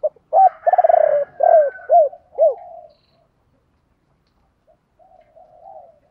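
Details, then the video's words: Spotted dove 'thổ bầu' style calls to stimulate trained birds: a clipped note, then a rapid rattling pulse series and three hollow arched coos, followed by quiet low murmurs. "tiếng chim cu gáy kích bổi nhanh nổi gù"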